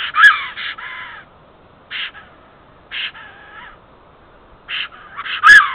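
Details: Female black stork calling from her nest in Estonia, April 2014, late morning, summoning a mate delayed on migration; hoarse, nasal, harmonic calls come in spaced bursts about a second apart, louder at the start and end.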